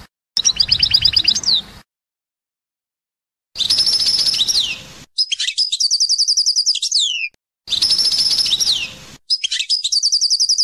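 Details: European goldfinch song notes, presented as named individual song notes: bursts of rapid high twittering and tinkling trills with buzzy slurred notes, separated by short silences, repeated in several phrases.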